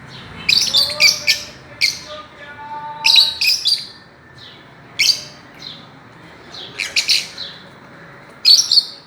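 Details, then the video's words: Fischer's lovebirds playing on a swing chirp in sharp, shrill bursts, often two or three notes close together, at an uneven pace, with faint soft whistles underneath. "Parrots playing and chirping"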